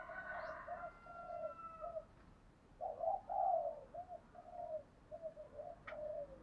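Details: Spotted dove cooing to lure wild doves: a series of low, evenly spaced coos, some longer and burred, heard fairly distantly over steady background noise and a few faint higher chirps.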